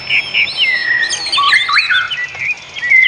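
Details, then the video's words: Birds singing outdoors: loud clear whistled phrases, some sliding down and some leaping up, run almost without pause through a short lively burst. "Suara kicau burung di alam"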